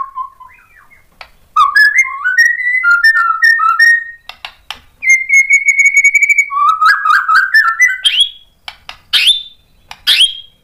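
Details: Provoked white-rumped shama singing: clear whistled notes stepping up and down, a long steady whistle, then rising slurred phrases and sharp high upward flicks separated by brief gaps.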